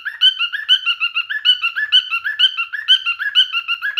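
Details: Courting male cockatiel: brisk, regular chirping phrase of rising and level notes repeated over and over at a steady pace.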